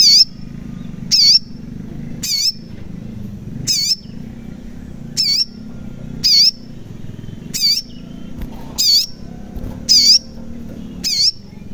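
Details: {'caption': 'Crimson sunbird (sogon) lure for silent or lazy birds: a steady string of about ten piercing, high wavering chirps, each roughly a second apart, over a faint low rumble.'}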